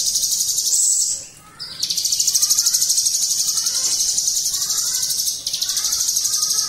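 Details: Ciblek gunung delivering 'bren ngunci' song: a shrill, rapid trill that stops briefly after one second, then runs steadily for the rest. Soft descending chirps from other birds are audible lower down.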